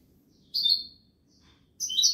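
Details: European goldfinch song in the Malaga style, two short bursts of high, bright twittering separated by a second of near silence, with a faint low hum underneath.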